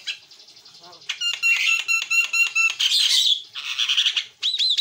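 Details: Gacor Javan myna, white-eyed jalak kebo, recorded as a training master: continuous loud rapid clicking pulses blending into buzzy chatter and closing with a rising whistled squawk.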